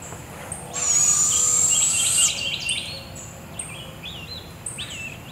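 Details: At 7am in the forest at Devil's Den Campground, two barred owl owlets are fed by their mother. One drawn-out raspy hiss of a screech lasts about a second and a half, while small birds chirp and twitter around it.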